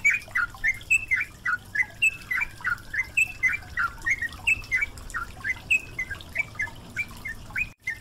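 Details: Yellow-vented bulbul song in a water-therapy recording meant to get stressed caged birds singing again: an eight-second stream of rapid, jumpy whistled notes over steady running water, cut by a brief drop near the end.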